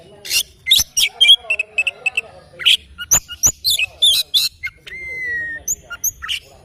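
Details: Oriental magpie-robin in the morning, delivering rapid, varied chirps and sharp notes in quick bursts, including one long, steady whistled note held for about a second.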